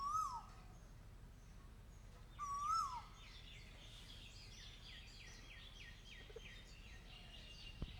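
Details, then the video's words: Asian koel giving two clear, rising-then-falling whistled notes about two seconds apart, followed by a series of repeated higher, hooked notes from other birds over steady background hiss and a sharp click at the end. "koel bird sound"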